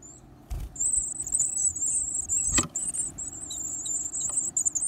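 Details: Varied tit chicks, lively and hungry, feeding on big insects as they grow day by day: a continuous high, hissy, buzzing stream of calls, broken by two sharp clicks and low handling thumps.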